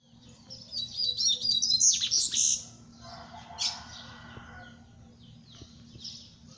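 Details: Double-collared seedeater singing a quick, high twittering phrase of varied chirps lasting about two seconds, followed by a softer chirp and faint distant twitters over a low steady hum.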